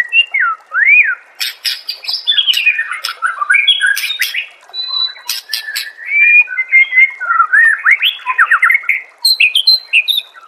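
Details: White-rumped shama song used as master recording to train caged birds: ten seconds of varied loud whistles, rising slurs and harsh notes, delivered in quick changing phrases with brief pauses.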